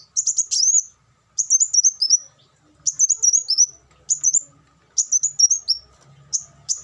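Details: Olive-backed sunbird giving five or six short bursts of rapid, high, slurred twitters, one roughly every 1.3 seconds, against quiet background. Meant as a training song for caged birds.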